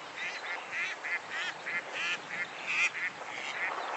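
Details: Female Mallard giving night flight calls, which are often heard in nocturnal migration: a run of short, nasal quacks, several per second, with rising harmonics and a narrow frequency range with little low-pitched signal, over steady background hiss.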